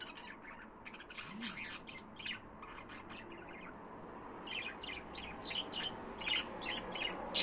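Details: Budgerigars keep up busy chattering: scratchy, buzzy chirps and twitters in loose runs, quieter in the middle, then a denser, livelier burst of warbling toward the end with one sharp high squeak.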